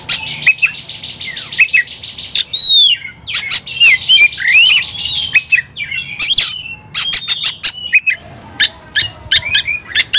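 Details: Kacer, the Oriental magpie-robin, provoked into fighting song: long buzzy, grating passages laced with thin whistled slurs, then quick runs of dry clicks and chips.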